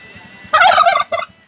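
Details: A turkey at a guesthouse in Bukit Lawang gives a fast, rattling gobble lasting half a second, then a brief second burst after a short pause.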